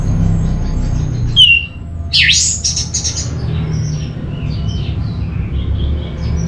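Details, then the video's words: Orange-headed thrush giving two brief phrases: a sharp descending whistled note, then a loud swooping note followed by quick high twittered notes. A steady low hum runs throughout. "Suara ANIS MERAH Cepat Gacor"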